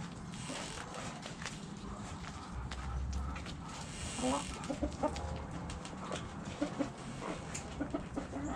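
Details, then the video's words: Hens in a backyard flock give scattered low clucks and murmurs against steady low rumbling noise and occasional knocks. "Backyard Chickens Relaxing Sounds Noises Video ASMR Hens Clucking Roosters Crowing!"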